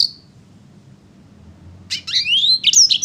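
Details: A sanger paud, singing vigorously, gives a single short high note, falls silent for over a second, then bursts into a quick run of high slurred whistles and twitters, including one long rising whistle.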